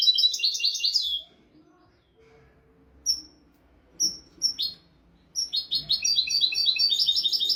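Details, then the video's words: European goldfinch in a royal tutor song meant to teach goldfinches and canaries: a rapid twittering phrase, separate sharp high notes after a pause, then a dense rolling trill of bright repeated notes. "تغريد طائر الحسون ملكي حفاضة لتعليم طيور الحسون والكناري بدون أخطاء"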